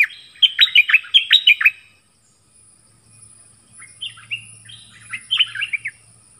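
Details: During a song duel with wild birds, a dok taeng bird gives a fast burst of sharp, repeated whistled notes, pauses about two seconds, then returns with two softer warbled phrases over a faint low hum.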